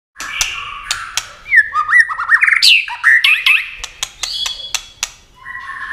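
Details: White-rumped shama in competition singing, flashing its wings and flicking its tail nonstop: fast varied whistles and slurred rising phrases around mid pitch, broken by sharp clicking ticks, with a short pause near the end.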